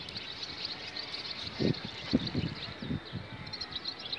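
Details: Barn swallow (Hirundo rustica), mating call: courtship.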